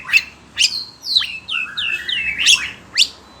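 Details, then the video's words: Oriental magpie-robin kept as a songbird, agitated by hearing other birds: sharp high chips about every half second framing a long descending whistled slur and a sweeping downward note. "Kacer SUNEO emosi denger suara burung lain"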